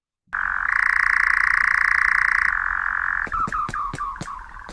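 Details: A European nightjar gives its long, unbroken churr, the jarring song that gave the nightjar family its name: a dry, rapidly pulsed mechanical reel that shifts slightly lower near the end, with a few sharp clicks.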